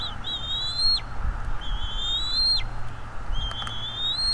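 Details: Bald eagle calling at the nest on 23 April 2021 at 07:25, from a nest cam: three long, high, thin whistles, each climbing gently before a sudden downward slide, separated by short pauses over steady low hum.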